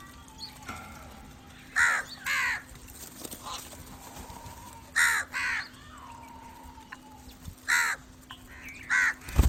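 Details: Crow calls to attract crows: paired harsh caws repeated roughly every three seconds, with softer distant calls and a low steady hum beneath.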